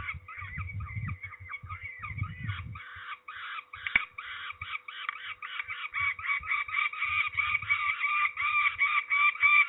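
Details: Peregrine falcons at Trzebież, Poland, calling while being ringed on 13 May 2019. A rapid, insistent series of harsh calls grows louder toward the end, with low handling noise and a sharp click early on.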